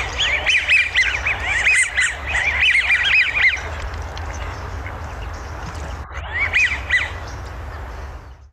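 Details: American Wigeons, an Illinois waterfowl, give bursts of breathy, squeaky two- and three-note whistles, likened to a scratched record, several birds calling together in quick runs, then a brief reprise after a pause.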